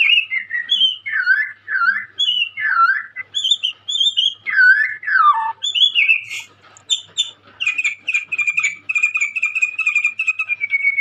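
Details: Energetic song from a young white-rumped shama: a string of dipping and looping whistled phrases, high sharp notes, then a fast stream of short repeated notes for the last few seconds.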